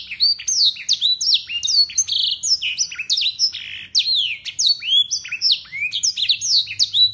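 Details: Local Yorkshire canary delivering long, very clear song loaded with blackthroat and sanger phrases, meant for tutoring young canaries; dense run of descending whistled slurs, buzzy notes and rapid chips, continuous throughout.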